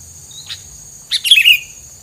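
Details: Filler song from a bird: a lone thin note, then a dense tumbling burst of sharp chirps and downward whistles, set against a constant high-pitched background tone.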